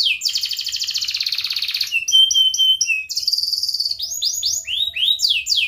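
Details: Canary singing ngerek style, to prompt young and reluctant canaries to sing: a long dense buzzy trill, a clear held whistle with clipped pulses, another buzz, then repeated arching sweeps.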